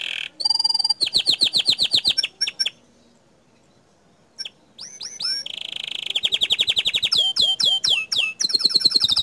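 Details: Bottle-green canary singing its provocative 'tembakan' master song: fast pulsed trills and upslurred chips, a pause of near silence, then renewed bursts of loud slurred whistles and a steady rolling buzz.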